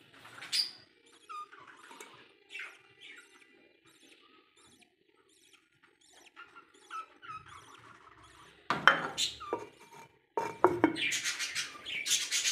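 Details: Newly hatched budgerigar chicks give thin, squeaky chirps, with sharper, louder bursts near the end.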